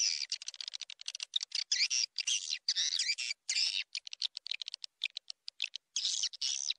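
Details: Swiftlet calling sound used to lure swiftlets: dense, high, scratchy twittering, with rapid clicking chirps alternating with longer buzzy rattles and only brief gaps.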